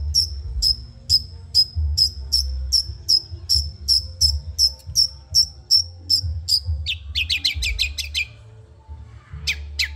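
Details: Caged long-tailed shrike from Madura in training song, a long string of rapid high ticks about three per second, then a burst of fast descending notes and a short pause.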